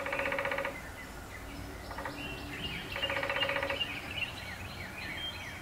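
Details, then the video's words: Rapid-fire rattling rolls from a male downy woodpecker drumming on an old black walnut tree in Appalachia, three bursts of varying length with brief gaps, over soft chirping birds and a low hum. "Downy Woodpecker Drumming on Black Walnut"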